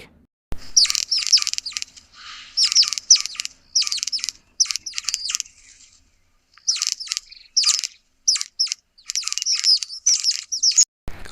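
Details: A White-crested Helmetshrike, a Southern African bird, gives bursts of harsh, rattling chatter in quick clusters, pausing briefly between bouts, with no other clear sounds.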